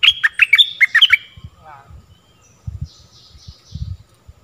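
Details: Stripe-throated bulbul song played to train young birds and lure wild ones: a quick burst of bright, bubbly warbled notes in the first second, then faint scattered chirps and low thumps.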